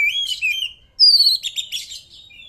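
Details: Oriental magpie-robin giving short whistled phrases, used to prompt other birds to answer: two slurred notes, a brief gap, then a loud clear whistle followed by a scratchy twittering flourish.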